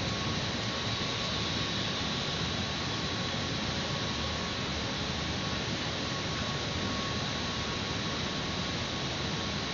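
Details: Steady broadband hiss with a faint constant tone and no animal calls heard.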